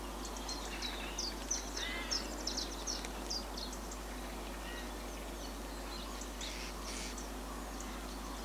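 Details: Common house martins on a one-hour migration stopover on a 20,000-volt power line between Corrèze and Haute-Vienne, Limousin, central France, 24 September 2015, give busy overlapping flock chatter of short, dry, high chirrups over steady low hum.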